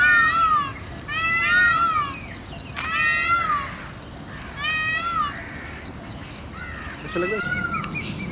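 Indian peafowl giving loud, harmonic, wailing calls in a series of about five bursts, each a dipping nasal cry, over steady background hiss.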